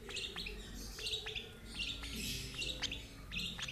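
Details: Lovebird being fed by an older sibling from the same parents: sharp, high chirps repeated irregularly over a steady low background hum.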